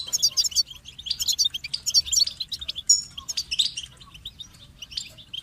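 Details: Goldfinch pouring out quick, high, liquid twitters and buzzy trills in close-packed phrases, fading toward the end, with a faint low hum beneath.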